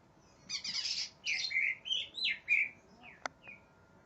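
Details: Greater green leafbird, said to be worked up and seeking an opponent, gives a harsh buzzy burst followed by several loud slurred whistles falling in pitch, then a sharp click and a faint chip.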